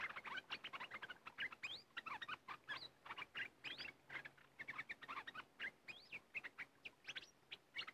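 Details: Red-whiskered bulbuls, called fierce birds of this area, singing during decoy luring: a busy stream of liquid chirps and short rising and falling whistled phrases, several voices overlapping almost without pause.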